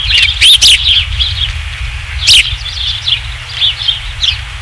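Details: Osprey at the Dunrovin Ranch nest on 27 July 2016, around the third fish: loud high chirps at the start and middle, with softer slurred whistles between and after, over low rumble.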